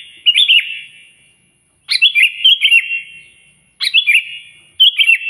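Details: Loud sooty-headed bulbul song meant to draw a rival: four short phrases of liquid, warbling whistles, each opening with a bright rising note then dipping, spaced by brief pauses.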